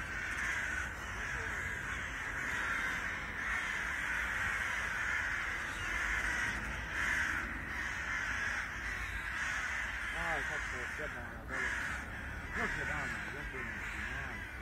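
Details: Fighting Eurasian magpies keep up a steady, grating rattle of chatter, harsh and unbroken, with brief swells in loudness; a man's voice cuts in briefly near the end.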